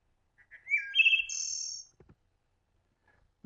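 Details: Wood Thrush song played back from birding software: a few soft introductory notes, then a flute-like rising phrase with notes on slightly different pitches, ending in a high complex trill, followed by silence and faint clicks.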